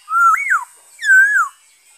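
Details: Black-throated laughingthrush singing, recorded 5 May 2021: two loud, clear whistled phrases, the first rising and then sliding down, the second a long wavering whistle that falls at the end, in otherwise quiet surroundings.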